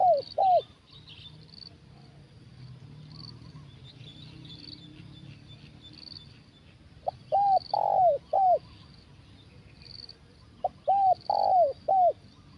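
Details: Strong-voiced spotted dove singing in the 'kuk satu' style during a trapping session with a decoy bird. Three groups of short, arched coos each end in a longer falling note, separated by pauses. Steady high insect trilling runs underneath throughout.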